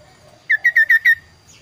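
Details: Five loud, clear, downward-slurred whistles from a kaso-kaso bird, delivered in a quick even series, ending with a faint high note.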